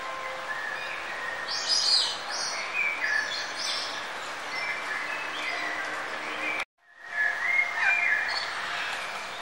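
Several birds sing at once, with high chirps and twittering phrases over a steady hiss of background noise and a brief break partway through.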